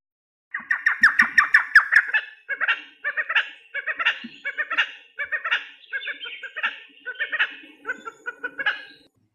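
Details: Red Spurfowl giving its daybreak call on leaving the night roost, claiming its roost site: a loud, harsh, cackling series of rapid notes, opening with a quick stuttering burst, then repeated phrases about every half second.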